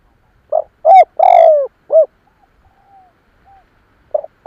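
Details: Spotted dove cooing, recorded for use as a lure to draw in other doves; a hoarse lead note, then short and long mellow coos with slight downward inflection, followed by a pause before the phrase starts again.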